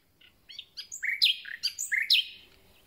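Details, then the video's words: Newly arrived common nightingale in full song, a quick run of varied sharp whistled notes rising and falling, about a dozen in under two seconds, with a quiet background. "Słowik rdzawy i jego piękny śpiew"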